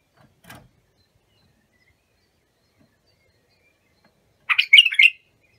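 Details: Song of a bulbul meant for teaching young birds: after a faint click and near silence, a single lively warbled phrase of quick chirping notes closes the recording.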